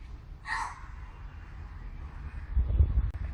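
A crow gives one short, harsh, bark-like call, rough and hoarse. Low rumbling and a few thumps of wind or handling noise follow.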